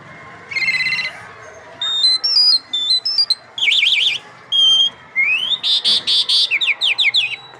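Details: An Iranian lark, kept as a singing bird, sings a rich, varied phrase of high whistles, buzzy notes, rapid trills and quick upslurs, delivered in bursts with no other sounds.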